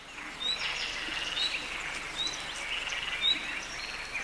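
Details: European bee-eaters in the Matarraña river valley, Spain, in June 2011 give short, rolling, liquid 'prruip' calls about once a second, several birds overlapping, against a steady outdoor hiss.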